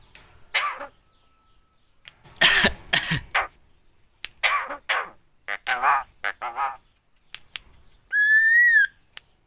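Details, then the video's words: Javan myna that can talk, mimicking a greeting, coughing and a casual hello: voice-like harmonic bursts in short phrases separated by pauses, then a clear sustained whistle that rises and falls near the end. "BURUNG JALAK KEBO BISA NGOMONG,ASSALAMUALAIKUM,BATUK DAN NGOMONG HALO CEWEK"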